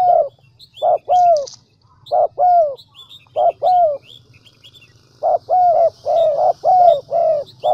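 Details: Vietnamese Central Highlands decoy spotted dove repeating paired coos, a short note followed by a falling croo, in runs with brief pauses. A faint hum and high chirps and twitters of small birds sound behind.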